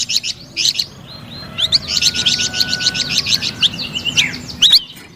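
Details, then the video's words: Flamboyan bird singing sweetly and energetically: scattered bright chirps, then a burst of quick upslurred notes over a faint steady whistle, ending with sharp rising chirps. "SUARA MERDU DAN GACOR BURUNG FLAMBOYAN"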